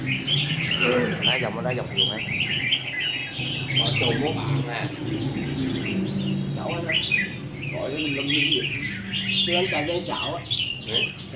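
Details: Red-whiskered bulbul singing in a competition setting, rapid bursts of buzzy, warbled phrases high in pitch repeated throughout, over a steady low hum and background chatter.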